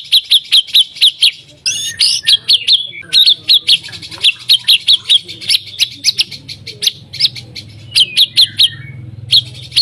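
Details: Caged white-rumped shama singing a lure song used to make other shamas sing: long runs of sharp, evenly spaced metallic notes, about three a second, interrupted by a brief burst of harsh chattering.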